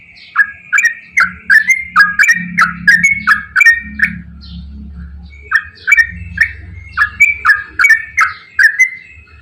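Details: Energetic 'ropel panjang' song of a straw-headed bulbul, meant to coax quiet bulbuls into singing: two bursts of rich, gurgling whistled phrases, each note dropping and rising, separated by a brief pause over a faint low hum.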